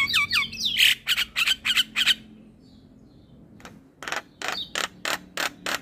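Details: Male Javan myna, a very vocal head-bobbing training master: a rapid run of harsh notes with descending whistles, a quiet gap, then evenly spaced loud clicking bursts about four per second.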